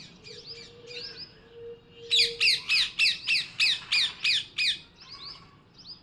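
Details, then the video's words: Parrot giving a fast, regular run of about nine loud, harsh squawks, each a rough burst, preceded and followed by softer high chirps, with a steady low tone underneath. "Parrot 🦜 Original Sound"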